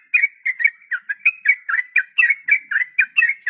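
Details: Long 'ropel' style song of a sooty-headed bulbul, played so that young birds not yet tame will copy it: rapid, evenly spaced chirpy whistles, around four per second, each note a short slurred twist, steady throughout.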